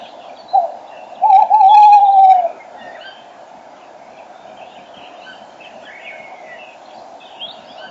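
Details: Male tawny owl hooting right beside the microphone at 06:34 in early spring, 5 March 2013, with a female calling in the distance. A brief hoot, then a long tremulous one, followed by several seconds of twittering dawn-chorus birds.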